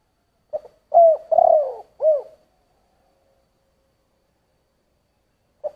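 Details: A single full coo phrase from a spotted dove in the thổ voice: a clipped opening note, two long, burry, low coos and a bowed ending note. A quiet pause follows, and the next phrase just begins.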